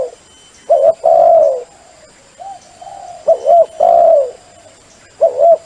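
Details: Sấm chuông-style cooing of a spotted dove, meant to excite male, female and freshly caught birds: low hollow coos, a quick wobbly double note then a drawn-out coo, repeating roughly every two to three seconds, with a softer coo between.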